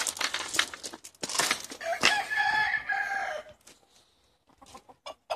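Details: Chickens released from their housing for the day in Longford, Ireland, 25 February 2016, seventy birds in all. Noisy clatter and clucks lead into a drawn harmonic crow, then quieter scattered taps.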